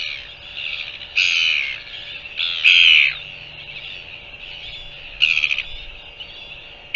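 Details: Northern royal albatross recorded on 24 January 2023: harsh, raspy squawking bursts of about half a second, four loud ones spaced irregularly over seven seconds, with quieter rasping between them over a steady low electrical hum.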